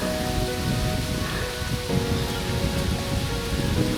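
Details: Heavy rain pours down over sustained musical tones during a trek, with no animal sounds.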